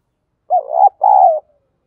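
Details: Spotted dove crowing used daily as a lure for fighting, field-voice style: a gently wavering coo, a short pause, then a longer level coo tailing off softly, quiet background.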